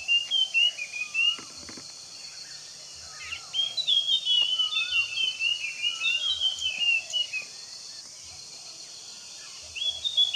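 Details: Puff-throated babbler giving short, clear slurred whistles repeated every one to two seconds at mid pitch, over a busy chatter of higher-pitched birds and faint low thumps.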